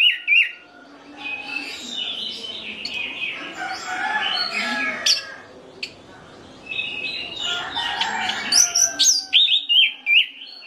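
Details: Orange-headed thrush lure song meant to prompt other thrushes to answer: a rich, varied run of clear whistles and scratchy, mimicking phrases, with bursts of bright high notes near the end.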